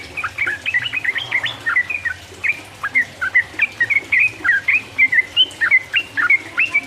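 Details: Yellow-vented bulbul song meant to stimulate and provoke rival birds: a steady stream of sweet, bouncy, slurred chirps delivered rapidly, rising and falling, with a faint low hum behind.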